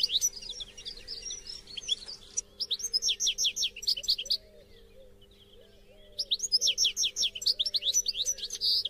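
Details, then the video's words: Goldfinch song played to prompt captive goldfinches to sing: rhythmic series of bright, sliding chirps in bursts, broken by a quiet pause of about two seconds, over a faint hum. "STIMULATION SINGING for GOLDFINCHES"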